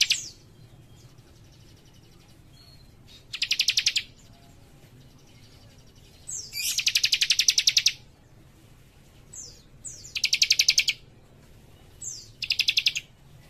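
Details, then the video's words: Young cikrak in vigorous song, repeating dense bursts of quick high chipping notes about every three seconds, several introduced by a short sliding whistle, with a quiet background. "Cikris Muda Gacor Nembak Rapat"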